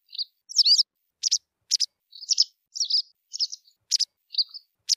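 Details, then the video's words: Clear, high chirping from a white wagtail. Varied twittering notes come in quick succession, some slurred and some clipped, with short pauses between them and no other sounds. "white wagtail sound صوت الذعرة البيضاء"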